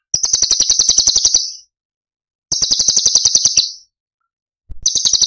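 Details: Masteran of a cucak cungkok singing 'tembakan' phrases, Cililin style, for songbird training. Two long, shrill, rapidly pulsed trills of about one and a half seconds each, then the start of a third.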